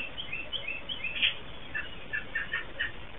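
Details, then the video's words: Another American robin sings nearby in Southern Ontario, Canada, while a female robin returning to her nest listens; short, faint, warbled phrases come in scattered bursts over steady low background noise. "American Robin Hears Another Nearby Robin Calling"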